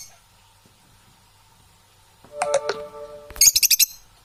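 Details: Parrots calling: after a quiet start, a harsh harmonic squawk, then a quick burst of rapid, high, pulsed chatter at the end.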